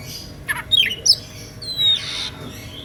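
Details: Oriental magpie-robin, a kacer, in an emotional playing song meant to provoke rival magpie-robins into singing; a few sharp whistled notes and a drawn-out downslurred whistle, with pauses between phrases.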